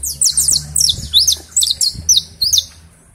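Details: A criollo canary in Valencia sings while held in the hand, gaining confidence and rising in pitch: high, bright chirps and quick downslurred notes in short bursts over a faint low hum.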